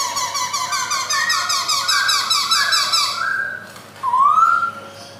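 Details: Captive male Black-throated laughingthrush with white cheeks, from a Yogyakarta collection in Indonesia, 2021. It gives a fast, even run of repeated chattering notes, then, after a short pause, one loud, smooth, rising whistle.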